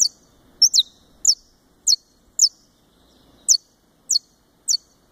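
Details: Saffron finch (Sicalis flaveola brasiliensis) at a breeder in Fortaleza, Ceará, Brazil, giving sharp, high, downslurred notes about every half second, sometimes doubled, against a quiet, faint background.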